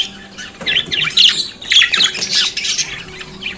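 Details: Budgerigar chattering: harsh squawky warbled notes and quick chirps tumbling together over a few seconds, with a low steady hum beneath.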